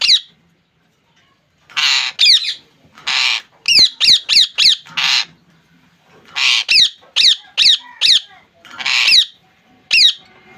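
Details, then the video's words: Pet ringneck parakeet in Bangladesh alternating hoarse, broad squawks with sharp rasping screeches in quick clusters over ten seconds. "Parrot sound"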